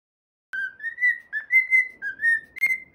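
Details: Pet cockatiel whistling its own original song: clear, pure whistled phrases that rise and hold steady, about six notes in under three seconds, each note slurring slightly upward, in a quiet room.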